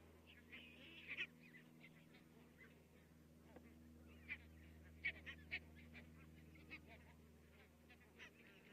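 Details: Distant flock of barnacle geese in Estonia on 22 October 2017: a soft chatter of many short, high yelps, several sharper calls rising above it, and a constant low drone underneath.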